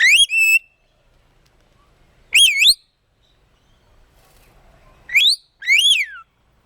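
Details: A pet red-collared lorikeet says "bless you" after sneezing, then meows like a cat: four short, rich, wavering nasal calls a few seconds apart, otherwise quiet.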